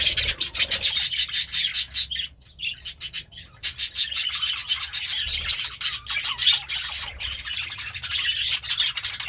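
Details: Pet budgerigar eating greens: rapid broadband scratchy pulses, mixed with chirps, repeated in fast runs with a brief pause, possibly beak rubbing or chewing against the chatter.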